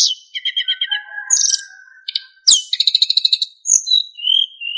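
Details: Fill-in phrases and clear whistles from a narcissus flycatcher, recorded to train other songbirds: a stuttering trill sliding down into a long whistle, a rapid rattle, and then drawn-out falling whistled notes.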